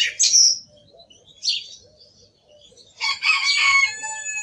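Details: Song thrush singing: a sharp high note, a short squeaky phrase, then a longer harsh, buzzy strophe with layered tones toward the end.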